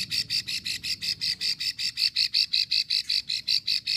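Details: Long lure call of a female plain prinia, known locally as prenjak sawah or cici sawah, Ulujami, Central Java: around twenty bright, clicky notes repeated rapidly and evenly for four seconds.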